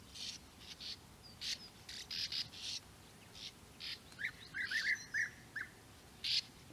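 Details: European bee-eaters calling in flat open country at Puszta Eldorado, where their nesting burrows are found; short rolling, slightly buzzy calls come in a quick cluster midway, with brief higher chirps from other birds before and after.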